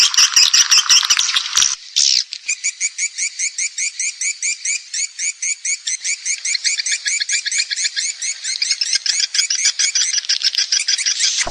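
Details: Swiftlet calling and roosting sound, played by Indonesian swiftlet farmers to attract birds to roost: a loud dense buzz opens, then a long, steady string of high chirped twitters, nearly three per second.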